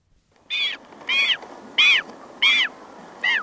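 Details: Very small Magellanic penguin chick crying close up, colony in the distance: five high, wavering cries with a downward-arching tone, evenly spaced about two-thirds of a second apart over a faint background murmur.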